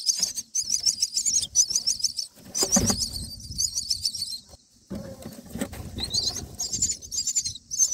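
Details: Myna chicks in the nest on day 9, begging while being fed black crickets: harsh, buzzy high-pitched bursts repeated in quick series, with low rustling and thumps in the nest between calls.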